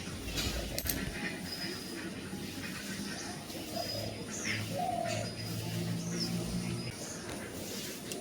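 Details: A dove gives low, soft cooing notes on a morning of 5 October 2025 in a quiet spot where koels and a bulbul sat in trees. Steady background hiss and a few faint high chirps from other birds.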